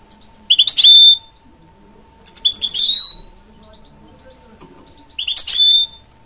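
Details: Three separate phrases from a goldfinch mule, a goldfinch crossed with a canary: each a brief flurry of sharp high twitters closing in a drawn-out bright whistle, spaced about two seconds apart over a low hum.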